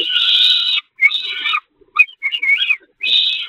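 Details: Peregrine falcons at the Catharinakerk, being fed on the nest grating, 11 May 2021: loud, harsh, wailing calls, long drawn-out bursts alternating with short choppy notes, repeated with brief silences between them.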